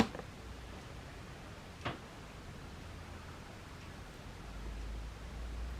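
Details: Quiet indoor room noise with a low hum and a single sharp click near the middle; no animal calls.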